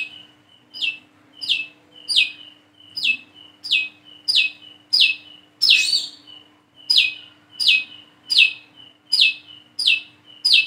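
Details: A Plain-throated sunbird practising its song gives a long, steady run of high chips. Each note is preceded by a short flat tone and falls in pitch, roughly every 0.7 seconds. One note near the middle is louder and broader.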